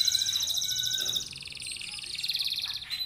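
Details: Canary lure song to prompt other canaries to sing: continuous high rolling trills shifting in pitch and speed, dense and unbroken for about three seconds.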